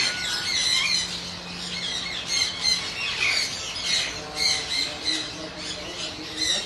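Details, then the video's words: Harsh screeching squawks from a hand-tame pet yellow-crested cockatoo, repeated in a loose rhythm with short pauses between louder bursts. "handtame parrot | funny parrot"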